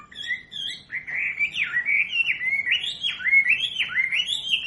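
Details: Wambi song for teaching captive birds: after a soft opening, a continuous slurred warble climbs and dips in repeated waves, each phrase ending in a sharp drop.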